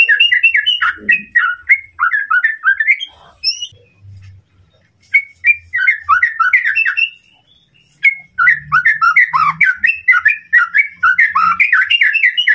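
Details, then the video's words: White-rumped shama training song meant to stir up a rival bird: rapid strings of varied, slurred whistled notes, several per second, in bursts separated by brief pauses, with faint low thumps underneath. "masteran murai batu untuk memancing emosi lawan"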